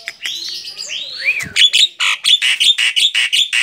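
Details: Javan myna, tame and perched on a hand, gives wavering buzzy whistles followed by a steady fast series of harsh chattering notes.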